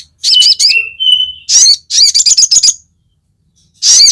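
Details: Crested jay (sogon), a fighter-style call used as a lure to provoke other sogon. Loud, high buzzy notes in quick bursts, with a short whistled tone, a rapid stuttering series, then a pause before another harsh burst.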